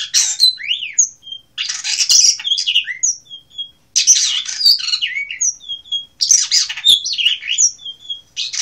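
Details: Blue rock thrush in Asia delivering loud, scratchy song phrases. Rising and falling slurred notes and piercing short whistles fill each phrase, with three main phrase groups divided by brief breaks.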